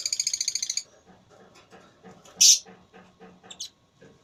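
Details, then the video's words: Lovebird in a singing contest opens with a rapid, even, ringing trill of about a dozen notes lasting under a second, then one loud shrill shriek and a softer squeak over low chatter. "Lovebird Tarung Suara"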